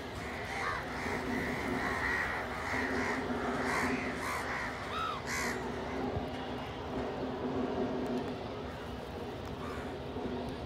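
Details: Feeding together with a pigeon close by, crows break into a rapid run of overlapping harsh caws for several seconds, then fall quieter over continuous background hum.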